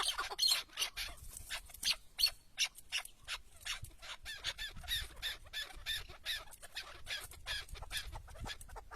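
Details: Tethered chukar partridge acting as a decoy during a hunt, uttering quick, high, raspy chuck notes in uneven bursts across the whole stretch, against light wind.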